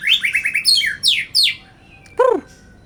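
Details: White-rumped shama, a caged bird sunbathed to boost its energy and condition, sings five rapid clear whistled notes, then slurred descending sweeps, ending with a rich, downward-arching note after a short pause.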